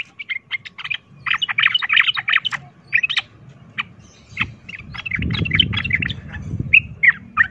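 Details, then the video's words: 'Ropel tarung' fighting song of a sooty-headed bulbul, meant to trigger fights with other bulbuls: bursts of rapid chattering notes, with rumbling low noise in the second half. "pancingan trucukan ROPEL TARUNG ini bikin trucuk lain seketika ikut EMOSI tarung"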